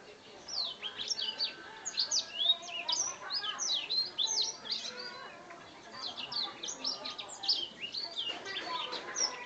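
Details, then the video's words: A two-month-old black-throated canary, hatched 8 August 2014, sings a continuous, high twittering warble of quick chirps and thin trills with hardly a pause, over a faint background murmur. "Blackthroat usia 2 bulan"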